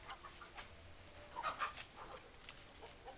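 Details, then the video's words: Roosters and hens being fed, with short irregular clucks and a couple of louder sharp calls near the middle over steady background noise. "Funny Chicken Sounds Noises! Hens Clucking Roosters Crowing!"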